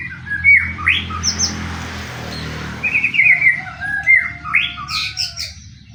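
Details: Song of a white-rumped shama, used to spur other shamas into song; scattered rising whistles and trills with a brief quieter stretch, ending with bright high notes.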